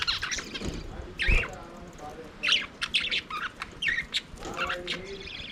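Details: Aviary budgerigars singing and playing: sharp chirps and short squawky notes tumble out at an uneven pace, with a few bent, rising whistles among the scratchy chatter.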